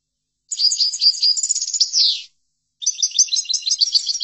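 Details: Chordonier-style European goldfinch song, played to train young goldfinches: a dense run of liquid high twitters ending in a falling slurred sweep, silence for half a second, then a new burst of quick, evenly spaced chirping notes.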